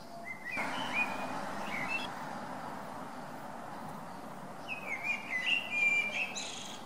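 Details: Blackbird song on December 17, a bird that never repeats itself: a warbled whistled phrase near the start, then after a pause a second varied phrase with high twittering ending, over steady low background hum.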